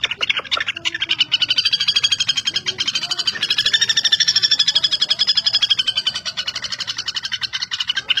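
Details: Common flameback, the goldenback woodpecker, giving a continuous fast trill of sharp clicking notes for about eight seconds, steady in pace with slight swells in loudness and faint low background noise.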